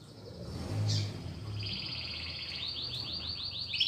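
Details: Caged domestic canary in training, singing a high rolling trill of rapid falling notes that grows louder toward the end, over a steady low rumble of background noise.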